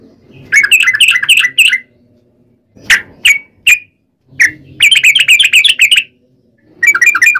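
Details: Sooty-headed bulbul song used to lure other bulbuls into singing: loud bursts of rapid bubbling, chattering notes lasting about a second each, separated by silent gaps and a few single sharp notes.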